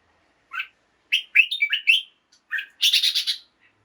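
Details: Morning song of a caged red-whiskered bulbul, meant to liven up other caged birds: a quick run of clear whistled notes rising and falling, then a louder rapid buzzy trill near the end.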